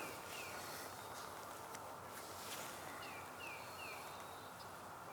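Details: White-breasted Nuthatch, a different bird from the one in view, calling in Sapsucker Woods, Ithaca, New York, on a late April 2022 afternoon in early spring. Faint short downslurred notes, one early and then three in quick succession, over steady woodland background noise.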